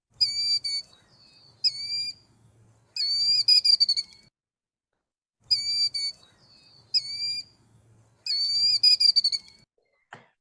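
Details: Killdeer (Charadrius vociferus), the name-giving call that males make almost incessantly, also during display flights: loud, high, piercing whistled notes, single cries then rapid strings, in two matching bursts over a faint low hum.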